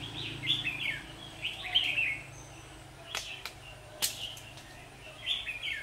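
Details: Red-whiskered bulbul during trapping on 27 September 2019, birds fighting; bright warbling phrases about every second, interrupted by sharp clicks and knocks, over a low hum.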